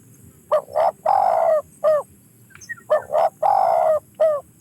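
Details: Two cooing phrases of a spotted dove, soft low notes in a short-short-long-short pattern, the long coo burry and gently falling, with a brief pause between phrases.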